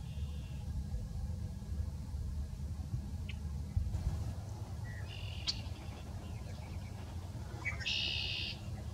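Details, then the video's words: A male red-winged blackbird declaring its territory gives scattered short notes and chips, then a loud buzzing trill near the end, heard over continuous low-pitched background rumble. "Red winged Blackbird Song & Calls"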